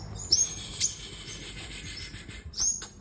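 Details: Sunbird in a singing contest: three piercing, very high thin notes, sharp and upswept, with faint sustained high tones linking them and little other noise.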